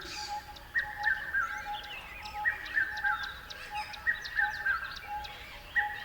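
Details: Birdsong with one bird repeating a loud three-note falling whistle in groups, set against rapid high ticking chirps and general twittering from a crowd of other birds.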